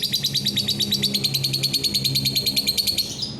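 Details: Lovebird recorded on 9 December 2021, giving a fast, high, sharp chattering trill of evenly repeated chirps, about eight per second, running continuously with a low hum underneath.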